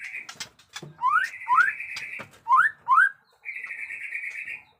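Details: Jenggot Dewa white-rumped shama alternating loud upslurred whistles with long buzzy sustained notes, a dry click-like note between phrases.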